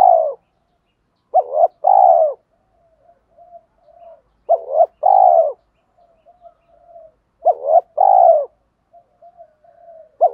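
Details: Spotted dove, male and female, cooing to stimulate and train other doves. Three low, mellow phrases, each a short double note followed by a longer descending coo, come roughly every three seconds, with soft quiet murmurs between them.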